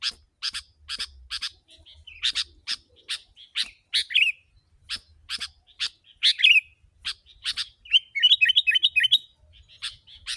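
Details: Sooty-headed bulbul, called very vocal and used as a lure for wild birds, giving harsh, buzzy chirps in quick pairs and triplets, broken by short warbled runs near four and eight seconds; a faint low hum below.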